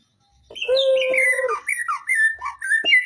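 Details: Magpie-robin singing long and vigorously from its cage at a contest pole. A sustained level whistle runs beneath fluty, stepping phrases, followed by short slurred whistles and a final bright note.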